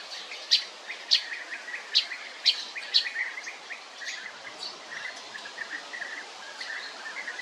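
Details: Several sharp high chirps open the recording, then a European bee-eater's mellow rolling calls follow, repeated in short irregular series over faint outdoor noise.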